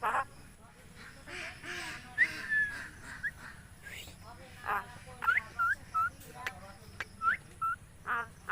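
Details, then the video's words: Talking common myna in Bangladesh: rapid run of harsh chattering bursts mixed with short rising and falling whistles, irregular and busy, over steady low hum. "কথা বলা শালিক পাখি"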